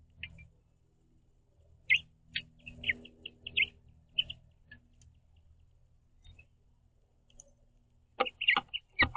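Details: House finch pair perched on a backyard platform feeder, hopping on and off while eating seed and chirping to each other: short, high chirps in quick clusters, pausing midway, then a dense burst of chirps at the end.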